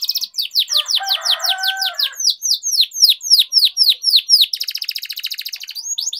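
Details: Canary training song with long rolling phrases, used to tutor canaries: loud, fast series of high descending whistled notes repeated steadily, a low buzzy warble beneath early on, then a very rapid trilled roll before the falling notes resume.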